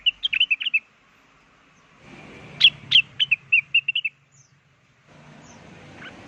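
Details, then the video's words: Blue-winged leafbird lure song used to draw wild birds into replying: a fast run of bright, chirpy whistled notes, then a pause with low background rumble and a few more separate notes near the end. "Suara pikat burung cucak wilis gacor atau rengganis di jamin ampuh langsung nyaut"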